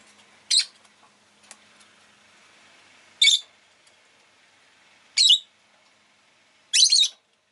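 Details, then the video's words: Shrill, rasping chirps from a rosy-faced lovebird, four loud calls spaced about two seconds apart, the last one stuttering, with a faint steady hum underneath. "Lovebird Chirping Sounds"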